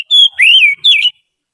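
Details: Trained caged Oriental magpie-robin singing as a song tutor for other birds: three clear whistled phrases, the first level and high, the second a slow rising-then-falling slur, the third a bright falling warble.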